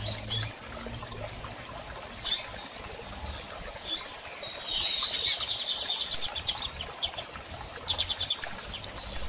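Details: Female double-collared seedeater calling and chirping a lot, used to stimulate a male to start singing after moult. High, thin chirps come in short bursts, denser toward the end, over faint low background rumble.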